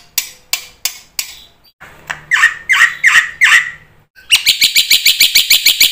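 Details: Black-winged myna song used to prompt other mynas to sing. It opens with spaced harsh clicks and several rough squawks, then breaks into a fast series of evenly repeated chattering notes.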